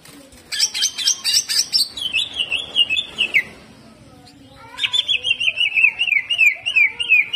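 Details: Greater green leafbird, hyper jamtrok with rough shot phrases: a high chattering run sliding lower into rhythmic buzzy notes, a pause, then another long series of wavering slurred notes.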